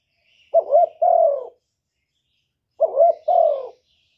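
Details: Male spotted dove calling to urge a female to lay. Two low phrases over two seconds apart, each a throaty doubled note and then a smooth, falling coo. Faint high chirping from other birds sounds behind them.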